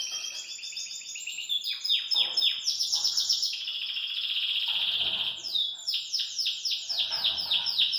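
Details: A Belgian canary sings joyfully while hopping in its cage, a long, loud run of bright trills and rapid chirps, high-pitched and nearly continuous, with fast repeated notes sweeping up and down.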